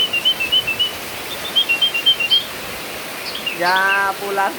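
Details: Sooty-headed bulbul, a tame bird out in the rain, giving rapid high chirps in a steady run, then a louder, rich harmonic burst at the end over a constant hiss of rain.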